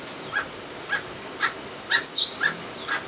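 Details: Emerald Toucanet (Aulacorhynchus prasinus) at La Cinchona de Alajuela, Costa Rica, in February 2013: short, harsh, barking notes repeated about every half second, with thin high chirps from other birds overlapping near the end.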